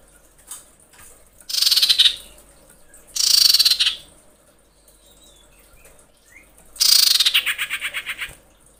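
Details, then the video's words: Female common iora calling the male while in breeding condition, with three loud bursts of high, rapid chattering notes, the last trailing into a fast series of about ten repeated ticks. "KICAU CIPOW BETINA BIRAHI MEMANGGIL JANTAN"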